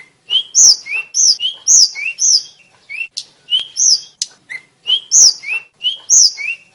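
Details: Champion flycatcher, known as tledekan or sulingan, singing a bright run of whistled slurs. High notes alternate with lower notes, with occasional sharp ticks between them, in a steady, energetic chatter.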